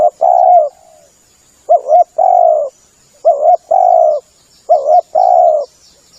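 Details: Lure recording of a spotted dove cooing: three phrases, each a quick two-part coo then a longer mellow falling coo, spaced about one and a half seconds apart, over a thin steady high whine.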